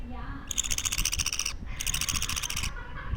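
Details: A budgie chick aged two weeks makes drawn-out scratchy, hissing calls, two long bursts and the start of a third, over steady low-pitched indoor noise.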